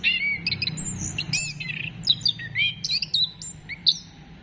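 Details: Orange-headed thrush song used to encourage singing: a lively mix of looping whistled notes and chirps at varied pitches, with a low background hum throughout.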